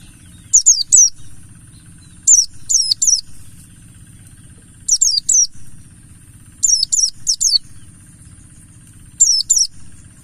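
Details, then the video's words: Buxtoni mountain white-eye singing to set off other white-eyes: groups of two or three quick descending high whistles, returning about every two seconds, over a quiet low-pitched drone. "Semua Pleci Pasti Langsung Gacor || Pancingan burung Pleci Buxtoni Ngalas"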